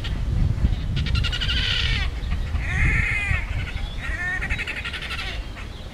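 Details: Great crested grebes fighting: harsh, nasal, harmonic calls in repeated bursts, first a rapid pulsed series, then rising-and-falling notes, over a steady low rumble of wind or water.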